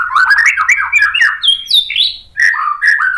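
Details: White-rumped shama song used to provoke other shamas into answering: a rich, varied stream of rapid whistled and chattering phrases, notes sliding up and down, loud and continuous with one short pause.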